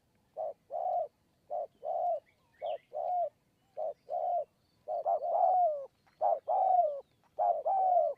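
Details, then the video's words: A wild spotted dove has flown up to coo on a perch near a decoy in Kanchanaburi's hill forest, Thailand. It gives short mellow coos in uneven pairs, and the later notes are longer and fuller with a falling slur. "คูบนคอน คูยาวมาก 170 คำ"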